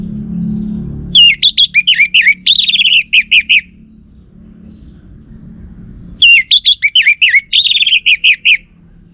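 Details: Lure song of an orange-headed thrush, meant to make males reply: two bursts of rapid, varied, twisting whistled notes, each about a second and a half, separated by a pause with low background hum.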